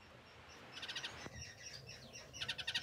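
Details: Masked grass finches giving short, nasal, stacked call notes in quick bursts: a run of rapid notes near the start, scattered calls in the middle, and a dense, rising series at the end, over a quiet background.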